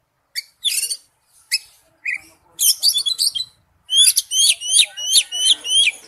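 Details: Oriental magpie-robin in wild-type forest-voice song: a few separate scratchy notes, a buzzy, jumbled phrase, then a rapid, regular series of sharp down-slurred whistles about three per second.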